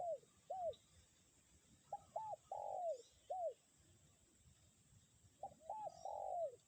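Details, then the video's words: Spotted dove lure bird calling in strong wind, 'kuk 1' type: short hooked notes, then a double note and a long falling coo, repeated twice, with low wind buffeting beneath and a faint high steady tone. "angin kencang pikat tetep bunyi kuk 1"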